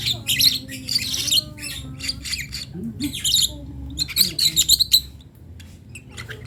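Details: Young lovebird chick learning to make sounds: bursts of harsh, scratchy squawks in quick clusters, some tonal low murmuring in the background, indoors.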